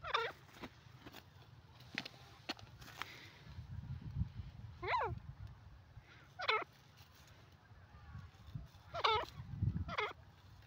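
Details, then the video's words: Grey francolin (teetar) calls in a series of harsh, buzzy notes, each bending downward then up. The notes come unevenly, roughly every one to two seconds, over a steady low background hum. "new pheasant ki awaz grey francolin bird sound"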